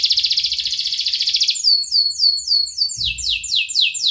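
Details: Canary singing a long, lively song: a fast rapid trill around the upper range, then a series of quick descending sweeping notes repeated several times a second, with faint low background rumble.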